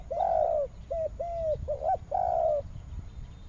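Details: Spotted dove in Vietnam's western region giving soft, low coos: a long hoarse note, several short clipped coos, then another drawn-out coo, followed by quiet.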